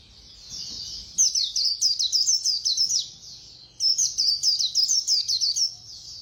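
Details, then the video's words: Fast-singing white-eye in the 'líu' style: a soft high warble, then two bursts of quick, sharp, high chirping notes separated by a short pause. "Khuyên Líu Hay _ Mau Mỏ _Tốc Độ _Tiếng chim Khuyên Líu"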